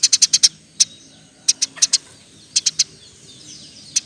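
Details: Eurasian tree sparrow chirping as a model song for training birds: an opening quick run of five sharp high chirps, then scattered single and paired chirps with brief silences between.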